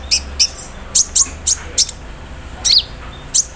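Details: Olive-backed sunbird in the morning, delivering embroidery-machine mimicry: about ten sharp, very high chip notes, single or paired, with one short falling whistle, over quiet background.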